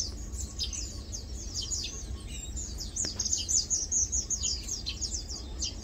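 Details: Busy high-pitched twittering from feeding and preening Lowland white-eyes, dense overlapping chirps with a short sustained thin whistle midway, over a soft low hum.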